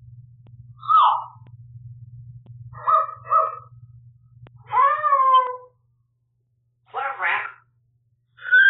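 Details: Pet African grey parrot indoors rehearsing its new dog howl among other talk: short nasal honks and doubled syllables, then a clear rising-falling harmonic howl, a rough speech-like burst and a final high note, over low electrical hum.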